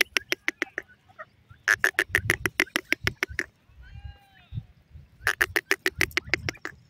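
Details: Partridge, the golden teetar, in a natural recording, giving rapid, grating, evenly spaced notes in three bursts. A quieter wavering note sits between the bursts, with low rumbling underneath.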